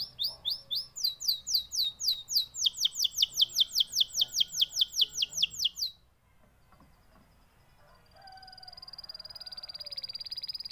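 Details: Canary delivering a loud, rapid rolling trill of high sharp notes for several seconds, then falling quiet before a softer, thin, high buzzy trill starts again.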